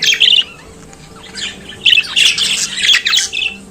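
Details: Budgerigar giving a short burst of twittering, then after a pause a longer run of rapid, scratchy warbled chatter.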